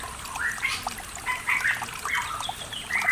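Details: Pitohui from the East Javan highlands, used to prompt reluctant cage birds to sing: a run of repeated scratchy squawks and short whistled notes spread evenly across three seconds, with water babbling behind.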